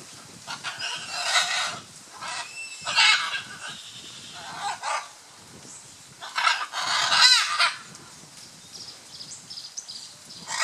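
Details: Scarlet macaws during courtship display at Playa Blanca, La Palma, Osa Peninsula, Costa Rica, give harsh, raucous squawks in irregular bursts, some drawn out and grating, with short quiet gaps between them.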